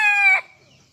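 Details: A Serama junglefowl rooster crows in the morning, its keenest crowing time, especially when let out of the cage and perched on a hand: a high, strained, nasal note held about a third of a second, then cut off sharply.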